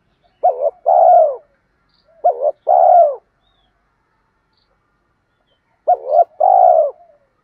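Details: Spotted dove coos used for stimulating doves in training, in the thúc gù style: three clean two-part phrases, a short stuttered hoot then a long, rounded coo, separated by silence.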